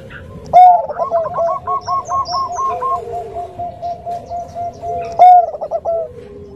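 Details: Bangkok-type zebra dove, a female calling the male in the soft nutut style: a bright opening note, then a long run of evenly spaced, rolling coos, ending with another strong accented note and a short trill.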